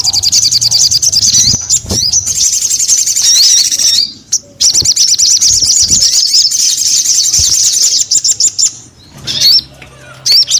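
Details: Crescent-chested babbler in full, lively song: dense runs of high, rapid, twittering notes with looping upslurred whistles, broken by short pauses near four seconds and again after nine seconds.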